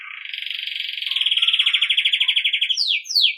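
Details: Song of a Belgian canary for training young birds: a long, steady, fast rolling trill that swells in loudness, closing with two quick downslurred whistles.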